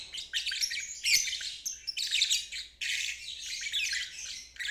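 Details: Lovebird ngeriwik, a long chattering song used as a lesson for young and stalled birds. Its raspy, high, churring phrases run almost without stopping, with one short gap just before three seconds.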